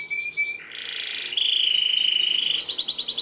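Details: Canary singing long emotive chirps for young canaries to copy: short high notes, a harsh buzzy band, then a long steady whistled tone with a fast pulsing rattle, ending with a quick series of bright repeated notes.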